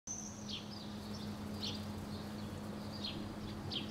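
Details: Common Swifts flying close to a roof's edge, probably their nest site, in Helsinki, Finland, June 2013, give thin, high, down-slurred screams every second or so over a steady low hum and background noise.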